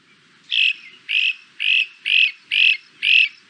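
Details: Great Crested Flycatcher, the only eastern flycatcher nesting in cavities, giving its song of six loud, burry, sweeping whistled notes, one roughly every half second, each with a rough low vibrato; nothing else is heard.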